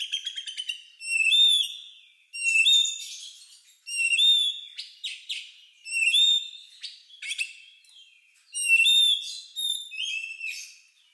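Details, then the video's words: Oriental magpie-robin singing an unusual lovebird-like song used as a lure to set other birds singing: short phrases of bright whistles with upward-flicked notes and brief chirps, repeated roughly every one to two seconds. "Suara Burung Lagu Unik Kacer Ini Cocok Untuk Pancingan"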